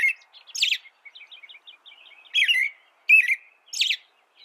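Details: American robin singing a few loud, slurred, whistled phrases separated by a string of soft, quiet twittering notes.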